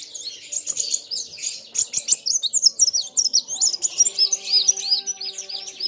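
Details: Kolibri wulung sunbird singing against a rival bird, busy and noisy: tumbling high twitters give way to a series of repeated arched whistled notes over a faint low drone.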